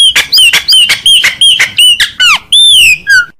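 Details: Chopi blackbird in mateiro baiano song style: a fast run of loud, clear whistled notes, some sharply slurred up or down, about three per second, ending in longer falling whistles and a low drop.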